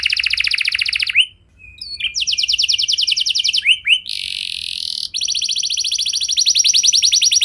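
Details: Canary singing as a lure for other canaries: long buzzing rolled trills broken by short gaps, a few sliding whistles and a harsh rasping burst, then a steady rapid trill to the end.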